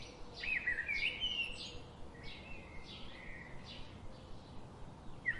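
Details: Birds calling in a noisy outdoor setting: short buzzy, downslurred chirps in quick succession, some overlapping, over a steady low background hiss.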